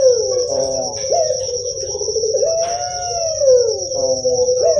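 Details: Puter pelung dove from Java in sound meant to encourage young doves to sing: one very long, wavering coo that rises gently and fades downward, framed by short upward-flicking notes, against a steady shrill background tone.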